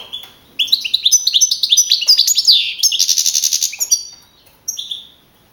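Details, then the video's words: European goldfinch singing at a 2012 song contest in Navalcarnero, Spain, where it placed first; a continuous run of rapid sweeping twitters rising into a buzzy trill, then a short closing phrase. "JILGUERO CAMPERO CAMPEON 2012"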